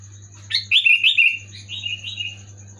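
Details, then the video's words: Sooty-headed bulbul (kutilang) in loud gacor singing used to prompt quiet birds: a single long chattering run of liquid whistles, bright at first then softer and lower in its second half, over constant hum and a high whine. "Suara burung kutilang gacor keras jelas bikin kutilang omyokan macet malas bunyi auto bunyi gacor"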